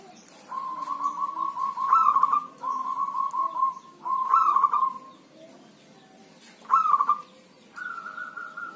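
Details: Healthy zebra dove kept by an owner, cooing during rain or drizzle: repeated phrases of rolling, trilled coos, some with a higher rising start, several in a row with short gaps, steady soft background noise.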